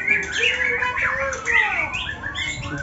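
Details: White-rumped shama, a bird with cataract, in the ngetrek song style: rich warbled whistles sliding up and down in quick succession, a few sharper high notes, and some faint human voices behind.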